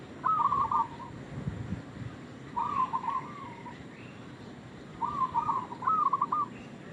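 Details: Bait call of a local zebra dove: three separate short trilled coo phrases, each a quick stutter of notes, spaced about two and a half seconds apart over a quiet background.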